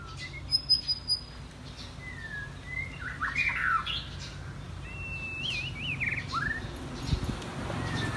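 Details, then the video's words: Caged white-rumped shama (chích chòe lửa) singing varied wild-style songs: clear whistled phrases around mid pitch, sliding and warbling notes, with short high buzzy bursts early on; low hum underneath. "Chòe Lửa Hót Hay | Giọng Rừng Rất Hay Và Liên Tục Hót Đảo Giọng"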